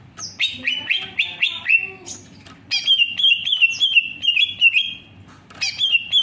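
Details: Greater green leafbird in full song: varied swooping whistles at first, then a quick run of bright, repeated slurred notes, ending with a few higher sweeping whistles.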